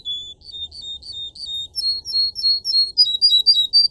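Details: Canary singing: clear whistled notes near one pitch, repeated about four times a second, shifting to higher alternating tones with a low hum beneath.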